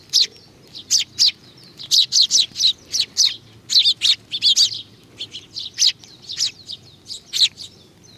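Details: Sparrows gathering to be fed at Tenmangu, Nakanoshima, on 21 June 2020 chirp almost nonstop: loud, high, clipped notes in irregular clusters of two to four.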